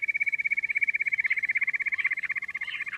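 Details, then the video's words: Queen quail, locally lohari, producing a rapid, regular pulsed trill at a steady pitch, with a slight rough overlay in the second half. "Queen quail sound || Lohari ka Awaaj"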